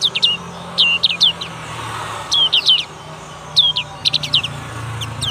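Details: Black-capped white-eye, a young bird learning its ngalas nembak song, giving short groups of high, sliding whistled notes separated by pauses, over a steady low rumble.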